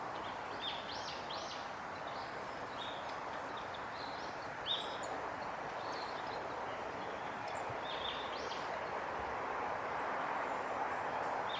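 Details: Long-tailed tits bathing at Kawaguchiko Field Center, Japan, on 29 September 2019: high, thin calls and short buzzy notes, scattered irregularly throughout, over a steady, loud, rushing background noise.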